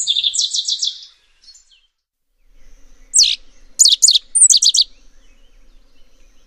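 A Rusty Sparrow sings a high, rapid series of clear chipping notes, then a short pause and another burst of sharp, descending trilled notes.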